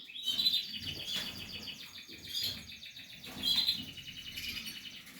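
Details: Portuguese harlequin canary at the nest-building stage, giving high rolling trills in two bursts with a short pause between them, over steady low background noise.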